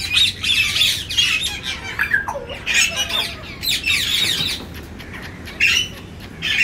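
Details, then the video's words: Grey parrots give harsh, raspy squawks in quick bursts, with one short falling whistle mixed in and no other clear sounds. "grey parrots"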